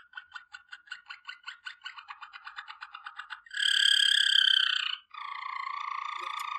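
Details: Waterslager (Malinois) canary singing a training song: a rapid series of clipped pulsed notes near mid pitch, then a loud sustained ringing tone, then a lower, steady bubbling roll.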